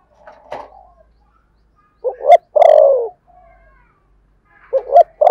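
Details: Lure spotted dove with a 'thổ' voice. A sharp click and rustle come first. Then two quick hoots lead into one long downward coo, and a further pair of short hoots follows at the end.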